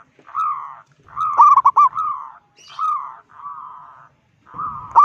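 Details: Big-voiced local zebra dove calling to provoke rival zebra doves: smooth, slightly arched cooing notes repeated with short gaps, one phrase interrupted by a rapid flurry of staccato notes, clean quiet background.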